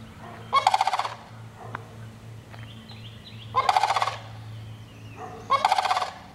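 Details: Three rolling, pulsed, trumpeting rattles from a sandhill crane spaced a couple of seconds apart over a low background hum.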